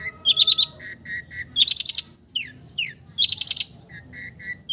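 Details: Long-tailed shrike singing a mix of mimicked calls: buzzy high rattling bursts alternating with steady lower piping notes and descending slurred whistles.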